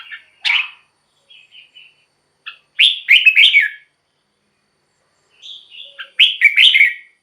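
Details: Red-whiskered bulbul in a cage, song recording for decoy use or to make caged birds lively: scattered chirps and soft whistles between two loud bursts of fast, slurred warbling notes, with long silences.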